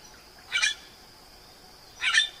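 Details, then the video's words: Two short, rough chak notes from a Eurasian magpie, roughly a second and a half apart, over a faint steady background tone. "Сорока. Голоса птиц"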